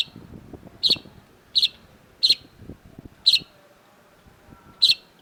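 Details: Long-tailed shrike (cendet) giving spaced, buzzy, scratchy notes at uneven gaps of about half a second to a second over a quiet background.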